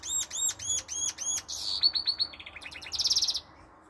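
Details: Goldfinch × canary hybrid song with canary notes: a run of repeated looping upslurred notes, then faster tinkling notes, a low rolled trill and a dense buzzy burst at the end.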